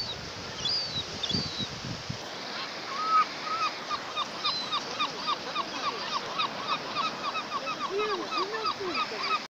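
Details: Seabird at Kołobrzeg, Poland, giving a long, even series of short, clattering, arched notes several per second after a burst of low rumbling noise, with fainter lower calls from other birds underneath.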